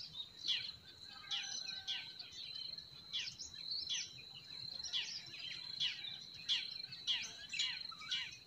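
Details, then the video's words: Forest birds in spring: short bursts of high, sharp chirps recur roughly every half second to second, louder and softer in turn, over a faint background chorus and a steady thin high-pitched tone. "Relaxing Singing of Forest Birds"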